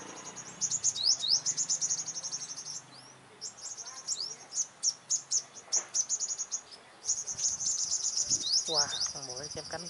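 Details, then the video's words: Sunbird challenging rival leader males: loud, sustained high twittering trills in long bursts, broken by short gaps, with a lower wavering whistle near the end. "Bây chim hút mật 5màu đối đầu với những con " Đ.ầu đ.àn ""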